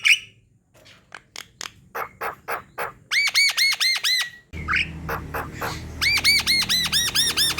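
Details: Javan myna singing hard as a lure for reluctant singers: a squeal, a run of sharp ticking notes, then repeated bursts of bright arched whistles, about three per second, with a low hum partway through.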